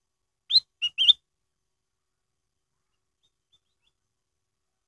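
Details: Crystal-toned lure song of a black-headed bulbul: one crisp three-part phrase of rising whistle, short low note and warbling final whistle, followed by a long pause and the onset of the next phrase.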